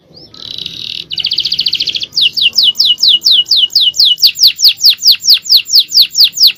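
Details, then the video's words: Male canary in 'cengkok jawara' champion song: a rising buzzy trill, then an even, steady chain of loud, high down-slurred whistles, about two to three per second. "Aksi Kenari||Cengkok Jawara||Full Power Canary Action||Cengkok Champion"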